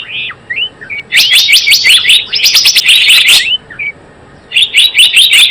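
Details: Java sparrow calling as a trapping lure: a few soft rising notes lead into a fast stream of bright chattering chirps, a pause, then another burst.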